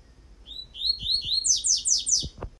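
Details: Single phrase of Coleiro tui-tui tutoring song: slurred high whistles that climb into four or five loud, rapid descending notes, with faint low clicks beneath.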